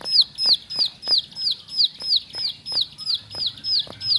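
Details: Ciblek sawah, or bar-winged prinia, kept indoors, singing loud, high, downslurred whistled notes in a very regular beat of about three per second, clear and dominant over faint low noise.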